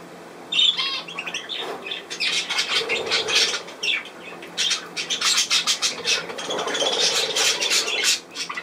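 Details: Budgerigars recorded 10 June 2024: after a quiet start, a whistled note and then rising bouts of raspy squawking and chattering from several birds.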